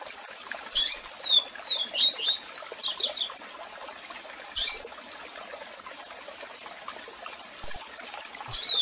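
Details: Double-collared seedeater giving a strong, varied song with calls, meant for song training: sharp high chip calls, then a quick phrase of slurred whistles and steep buzzy notes, with scattered single calls afterwards and constant waterfall rushing behind.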